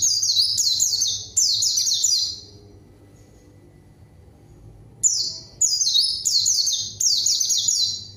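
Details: Energetic white-eye song meant to provoke a rival and prompt quiet birds to sing: two dense runs of shrill, rapidly repeated falling notes separated by a silent gap of about two and a half seconds, with a low background hum.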